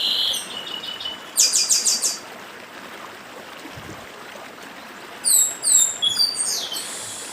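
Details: Chestnut-capped blackbird, Northeastern papa-arroz, giving 'dedim' phrases: a rapid pulsed buzzy burst, a pause, then clustered high chirps and sweeps, all over steady murmuring stream water.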